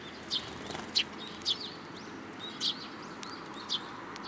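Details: High chirps from sparrows flying in to take food from a hand at a Tenmangu shrine, 7 July 2022. Bright notes come in an uneven series, roughly one every half second to second, with softer twitters between.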